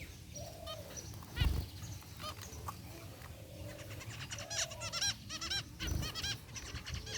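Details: A group of zebra finches, white and grey varieties including a rare white one, in an outdoor aviary trade nasal toy-trumpet beeps and quick chattering bursts, overlapping almost continuously over a low rumble with a couple of soft thumps.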